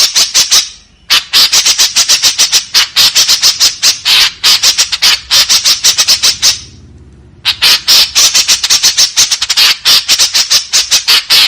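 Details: White-breasted woodswallow giving long harsh 'tembakan kasar' sequences: many grating notes in fast succession, broken by two brief pauses, with the rhythm nearly continuous.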